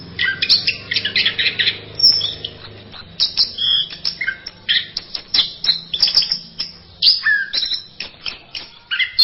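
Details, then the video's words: Orange-headed thrush giving varied masteran-style song: a continuous stream of quick chirps, trills and short whistled phrases, high and bright, with barely a pause across the whole passage. "Berbagai kicau burung anis masteran"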